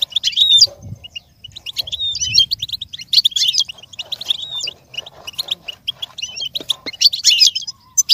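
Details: A goldfinch sings for another goldfinch to learn and imitate, pouring out dense bursts of fast twittering and jingling notes with only brief gaps.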